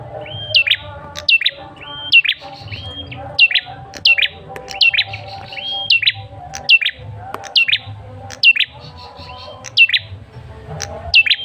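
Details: Lure call of a male tailorbird: repeated phrases of a short flat whistle followed by a sharp downward-slurred note, steady and bright, about every second across the recording.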